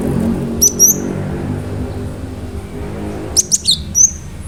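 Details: Cinereous tit (gelatik batu) in lively song used to provoke other birds into answering: two short bursts of high, thin whistled slurs, the second a fast cluster of falling and rising notes, separated by a quiet gap with a low hum.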